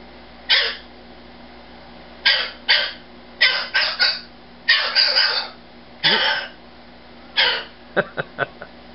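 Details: A pet rescued male umbrella cockatoo screaming in anger because a household member went to bed without saying good night; loud, harsh, raspy shrieks in bursts of one to three, several seconds apart, with short sharp squawks at the end and a man speaking.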